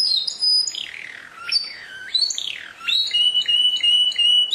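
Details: Canary song of high whistles and looping descending slurs, ending in a steady run of quick repeated notes.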